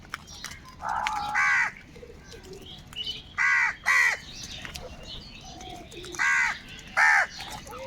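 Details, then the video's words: Crows cawing among a large flock, loud harsh caws often in close pairs, separated by quieter stretches of distant calling birds. "Kaka sound and noises of Crow birds | Huge numbers of crows crowing and crying sounds"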